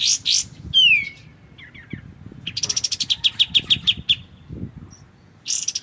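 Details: Clear White-shouldered triller song from a tutor recording with pauses for magpie-robins: buzzy rising notes, a falling whistle, a few soft chips, then a quick ringing trill of about ten notes and more buzzy calls.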